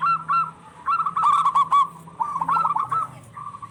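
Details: Short, quick-fire cooing phrases from local zebra doves calling in turn, used to rouse stressed or lazy birds into song and breeding mood.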